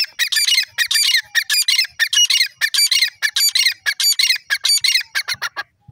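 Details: Grey francolin, known locally as titer, calling: loud, harsh, raspy bursts of notes repeated rapidly in a steady chattering series for about six seconds, with no other clear sounds.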